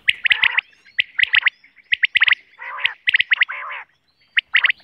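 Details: Quail (batair) heard in natural surroundings, recorded for hunting: dense runs of high, clipped double and triple notes repeated rapidly, mixed with lower nasal, rasping bursts.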